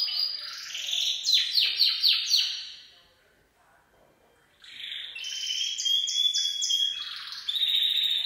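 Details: Gloster canary singing its full song: loud, fast, descending rattled notes, a second-long silence, then resumed high trills and clipped whistled tours that alternate in pitch until the end.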